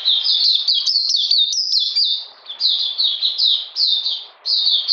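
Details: Oriental magpie-robin kept in a cage, recorded during cold, rainy weather on 13 June 2020, delivering rapid high chattering whistles with downward slurs, broken by two brief gaps.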